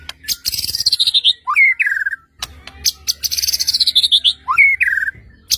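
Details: White-rumped shama song played to provoke other shamas into singing: a rapid rattling run of high notes sliding downward, then a loud rising-and-falling whistled phrase, repeated twice, over a faint low hum.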